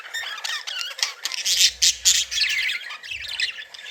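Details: Cheerful, playing budgies warble loudly in a continuous rush of high squeaks, whistles and scratchy notes, with a low thump in the middle.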